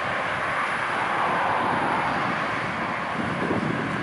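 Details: Evening outdoor recording filled with a loud, even roar of wind or distant traffic; no animal voice is audible.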